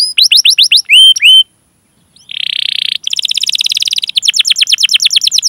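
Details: Canary's long 'cuit cuit' rolling song, played to stimulate young or silent canaries: clear hooked whistles, a brief pause, a dense buzzy rattle, then quick repeated chirping trills.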